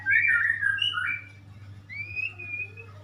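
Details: White-rumped shama singing: a loud, rich whistled phrase sliding and warbling for about a second, then a quieter, long, rising-and-level whistle, over a steady low hum.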